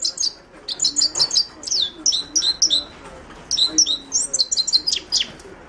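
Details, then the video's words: Himalayan goldfinch, Carduelis caniceps, delivering a rapid string of high, clipped chirps in quick twittering groups, a brief gap mid-phrase before the chatter resumes. "تغريد حسون الهيمالايا chant de chardonneret hymalaya"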